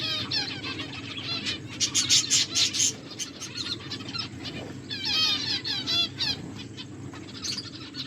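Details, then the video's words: Feeding finches chatter in quick high chirps, with a busy burst of sharp clicks and twitters early on, a pause, then another run of bright repeated notes. "My beautiful finches eating and enjoying finches chirping sounds"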